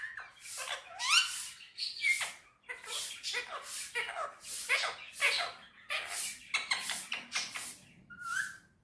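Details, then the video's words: Indian ringneck parakeet chattering in Urdu/Hindi on a table at home: a steady, unbroken stream of raspy, speech-like syllables with scattered squeaks, ending in a short clear whistled note. "Mitthu talking on table || so cute Mitthu is very sweet talking"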